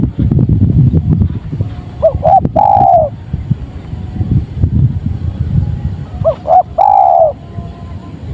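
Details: Tekukur, the spotted dove, giving two cooing phrases of short notes and a longer coo, partly masked by persistent low rumbling vehicle-like noise.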